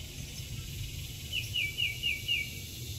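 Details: Mississippi kite (Ictinia mississippiensis), call.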